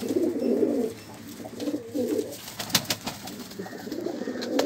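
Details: Pigeon cooing in low, burbling phrases at the start and end, with sharp clicks and tapping sounds in between over a constant hiss.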